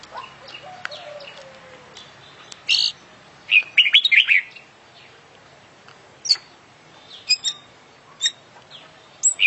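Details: Oriental magpie-robin (kacer) billed as an international champion singing 'full isian' style. Sparse sharp chirps and clicks lead into a dense burst of twittering, warbled phrases around the middle, then scattered high single notes. Faint background hum.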